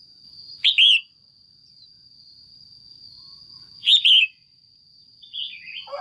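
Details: Female red-whiskered bulbul kept in a cage calls for pairing or to excite a male: two emphatic chirped double notes roughly three seconds apart, then a softer descending warble, against a steady high electronic tone.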